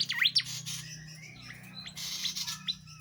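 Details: Flowerpecker known locally as tledekan jati, singing energetically as a master recording for training songbirds: high thin chirps and steep whistled sweeps, with a low steady hum underneath.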